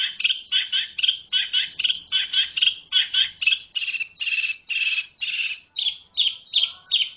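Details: Long-tailed shrike giving a series of harsh, buzzy, broadband notes, grouped in quick bursts of two or three, then longer rasping notes midway, ending in shorter clipped calls; quiet background.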